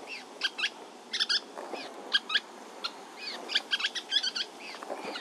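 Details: Three juvenile Western kingbirds in California, waiting for parents to deliver food, give busy, scratchy chattering notes in irregular bursts, several voices overlapping, over a low steady background hiss.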